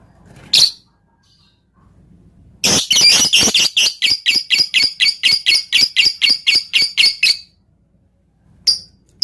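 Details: Lovebird 'ngetik' song with tight pauses, played to provoke other lovebirds into singing: a single sharp squeak, then a long fast run of high, harsh chattering notes lasting about five seconds, ending with another squeak.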